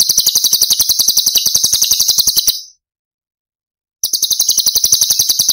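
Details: Long rapid rattle of shrill, buzzy pulses from a cucak cungkok, 'tembakan' song used as masteran for training songbirds, breaking off into silence for over a second before resuming at the same fast pace.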